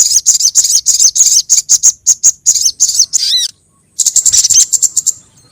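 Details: Sogon bird calls for luring sogon birds: rapid, regular high chirping that stops for about half a second after a slurred whistle, then restarts in another dense run.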